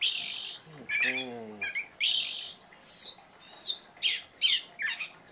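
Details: Lively Oriental magpie-robin song with sharp notes: harsh buzzy blasts and high whistled down-slurs separated by short gaps, plus a brief lower harmonic sound early on.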